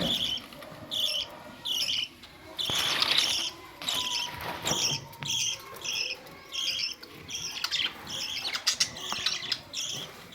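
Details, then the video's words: Budgerigars, recorded May 2, 2023, giving short bright chirps in bursts roughly every second, some doubled, over a faint steady hum and scattered clicks. "Budgies parrots"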